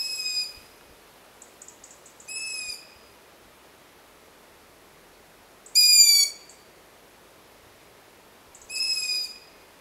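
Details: Begging young long-eared owl asking for food, its siblings begging nearby: four clear, high, squeaky screeches repeated every two to three seconds, the third loudest, with faint distant squeaks between them.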